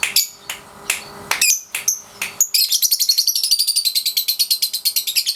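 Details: Young lovebird, 3.5 months old, kept in daily ngekek training: scattered sharp chirps and clicks open, then a fast run of high rasping notes settles into a steady ngekek trill, about three per second.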